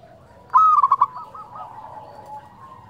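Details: Zebra dove, a local bird in lively fluting song, delivers one loud burst of quick stuttered coos, then fading softer rolling cooing.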